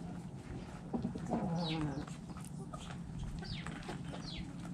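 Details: Backyard chickens eating in their coop, hens clucking and roosters crowing; a drawn-out, falling, harmonic call lasts about a second, with scattered short high squeaks and a steady low hum in the background.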